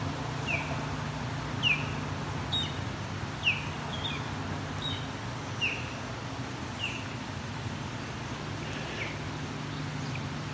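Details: An osprey about half a kilometre away along the Grand River in Waterloo, Ontario, gives short, high, downslurred whistles, roughly one each second in an uneven series, over a steady low rumble of traffic.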